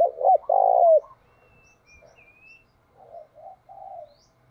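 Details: Spotted dove kept as a decoy bird in Vietnam and used to lure wild doves. It gives a loud, hoarse coo, a short doubled note and then a long, rough note, followed by softer, lower answering coos and a faint high thin whistle.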